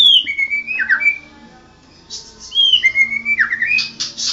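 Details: National champion white-rumped shama in full song: sliding whistled notes that dip and rise, a brief pause, then more whistles and harsh high rasping bursts.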